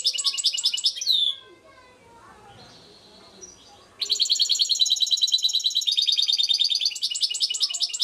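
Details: European goldfinch song: bursts of quick, bright twittering notes broken by a short quiet gap with a faint background voice, then long continuous tinkling trills.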